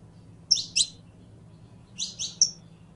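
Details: Canario criollo, the Saffron finch, giving two pairs of sharp, high, buzzy chirps, the second pair ending in a brief whistle, with a low steady hum beneath.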